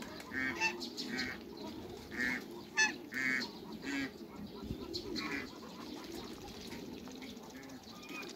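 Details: Hybrid ducks from a Cayuga and Muscovy cross, kept in a backyard, calling in a fast series of hoarse, nasal quacks, several per second, then fading into a murmur of farmyard birds.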